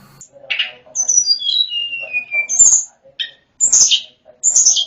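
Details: Snowy-browed flycatcher song, used as training material for other songbirds: a thin high whistle sliding steadily downward over about a second, between sharp chips and buzzy notes, with short pauses between phrases.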